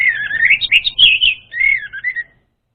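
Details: Orange-headed thrush song, a varied warbling run of high, slurred whistles rising and falling over about two seconds, with a short pause midway and a quiet background.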